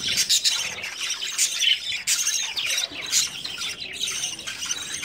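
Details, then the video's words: Several breeding budgies in early summer keep up a busy, overlapping chatter of shrill chirps and harsh squawks, with sharp louder bursts at about two and three seconds and brief dips between them. "Excellent budgies breeding progress"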